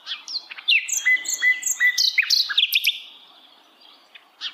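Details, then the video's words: Flycatcher in wild forest giving a lively warbling song: mid-pitched flat whistles mixed with higher trills and sharp chirps, busy for about three seconds, then fading to quiet with one last chirp. "kicauan Sikatan Londo Dialam Hutan Liar"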